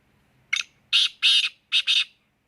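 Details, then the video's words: Black francolin calling: five harsh, grating bursts, a short first note followed by two longer rasping notes, a brief gap, then two more rasping notes, with a quiet background. "black 🖤 farcecoline vice"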